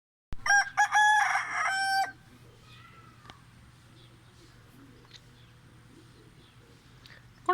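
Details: A chicken calling in the early morning: one loud, harsh, harmonic-rich crow lasting under two seconds right at the start, followed by a quiet stretch of low steady hum and a few faint distant chirps.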